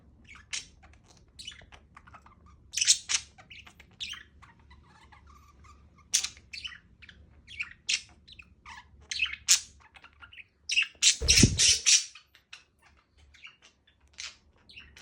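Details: A pet budgerigar chatters indoors with quick, high chirps and scratchy squeaks, repeated in irregular bursts.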